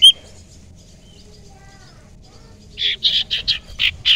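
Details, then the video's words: Young forest common iora, used as a lure, gives a quick burst of five or six clipped, high chattering notes after a quiet start. "cipoh sirtu muda hutan pancingan sirtu sirpu cipoh ampuh"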